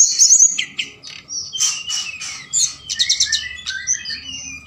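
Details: Forktail lure call played at night to stimulate other birds to answer and sing: dense high twittering and whistled phrases, rapid notes with thin downslurred whistles, continuous over the whole stretch, faint low background hum.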